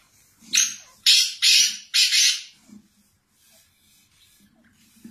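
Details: Black francolin (kala teetar) from Pakistan giving its harsh grating call: a short click then four loud, rasping, buzzy notes in quick succession over about two seconds, followed by faint background murmurs.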